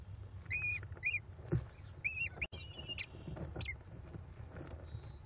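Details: American kestrel chicks, five young at a nest at Cornell, begging as their mother feeds them rodent leftovers on May 18, 2021; a few high, arched squealing notes in short bursts over a low background rumble and faint rustling.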